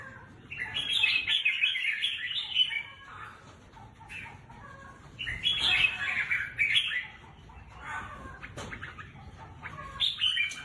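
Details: Red-whiskered bulbul kept as a caged songbird for competition sings three loud, rich warbling phrases, each about two seconds long, separated by quieter gaps with faint clicks and rustling.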